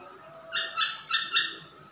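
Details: Male masked laughingthrush gives four short, harsh, hissing rasps in two quick pairs, fairly quiet against a faint steady background hum.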